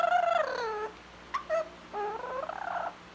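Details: Pet blue-fronted amazon parrot talking: harmonic-rich, voice-like drawn-out syllables falling then rising in pitch, a short sharp click and brief note in between, ending with a wavering rising phrase, quiet indoor background.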